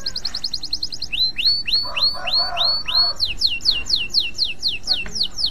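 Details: Male canary in breeding condition singing fast, high rolling trills: a short buzzy run, then a series of downward-swept whistled notes, then rapid upward-hooking notes repeated about four per second.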